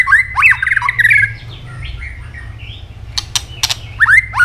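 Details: White-rumped shama giving fighting song while snapping its tail: fast bursts of looping whistled notes around mid pitch, a pause, then sharp clicking snaps and another whistled burst, over a low steady hum.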